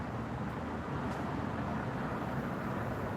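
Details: Continuous low rumble of passing traffic and engines outdoors, with no animal sounds.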